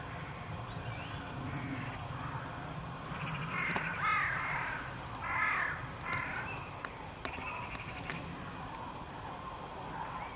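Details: Cranes returning north on migration; a flock's rolling, trumpeting calls overlap in bursts, loudest between three and six seconds, over a steady low background rumble.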